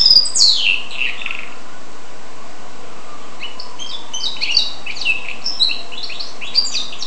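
A goldfinch-canary hybrid sings fast twittering phrases of high, sweeping notes, with a falling opening flourish and a pause mid-song, over a steady low hum.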